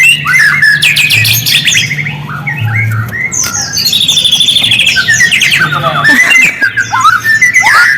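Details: White-rumped shama song used as a lure to make silent shamas respond: dense, loud cascades of whistled and chattering phrases, with a steady low hum underneath.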